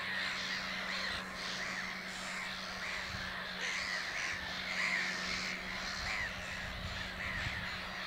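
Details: At Lake Hornborga (Hornborgasjön) during nest building, black-headed gulls give harsh, rasping kraah calls while one preens and rests. Many birds overlap in a steady colony din over a low constant hum.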